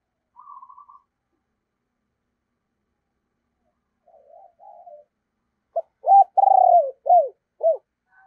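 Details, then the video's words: Spotted dove used as a decoy bird, cooing: a faint trill, then a few soft low notes, then a loud series of short hooked coos, each sliding down. "tiếng cu gáy - Chim Cu Mồi Giọng Thổ Gáy Hay Nghe Rất Phê"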